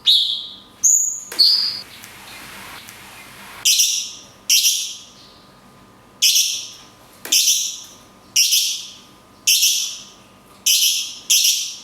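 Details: Cungkok, or mountain tailorbird, singing the long 'kunti' shot style with natural gaps, used as a training recording for cage birds: several high whistled phrases, then a hissy stretch, then regular sharp descending whistles about once a second. Faint hum.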